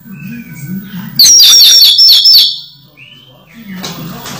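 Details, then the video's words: Moulting orange-headed thrush kept as a cage bird, still singing in teler style: one quick run of high sharp repeated notes lasting about a second, then faint low background hum. "Anis merah mabung masih teler"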